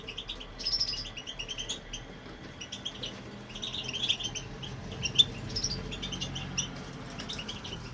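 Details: Male European goldfinch in a home aviary singing continuously, a lively string of high tinkling, twittering notes in clustered bursts over a low background hum.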